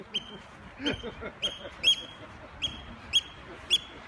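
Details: Eurasian oystercatcher attacking to draw attention away from its nest: sharp, high piping notes repeated about twice a second, with a man talking in the background.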